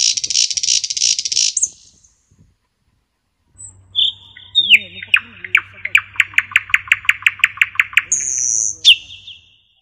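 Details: A common nightingale sings on a spring evening beneath the walls of an ancient monastery: a rapid series of loud, repeated notes after a harsh opening burst.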